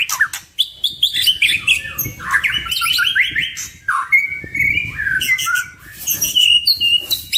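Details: Energetic song from two white-rumped shamas: a varied, fast medley of chattering notes, whistled slurs and rippling runs that keeps changing pitch, with brief gaps between phrases.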